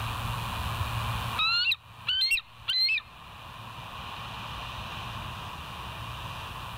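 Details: Bald eagle calling at the West End nest, recorded by a live nest camera on 07/04/2023 at 06:17; three quick bursts of sharp, high, chattering notes about half a second apart, then only a steady background hum.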